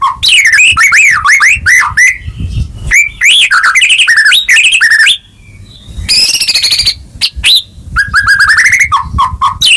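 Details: White-rumped shama song used as a lure to stir a silent caged bird into full 'gacor' singing: loud, rapid, varied whistled phrases with looping slurs and sharp chips, a brief lull near six seconds, then renewed bursts and short repeated notes.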